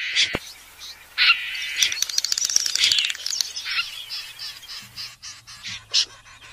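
Short, high, scratchy chirps come in quick bursts, several each second, then slow to spaced single notes. A faint low hum sits underneath.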